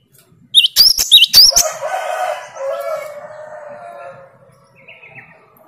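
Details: Great tit answering a lure recording of another singing great tit: a brief burst of sharp, high two-note phrases repeated quickly for about a second, then softer, lower trailing sounds fading out.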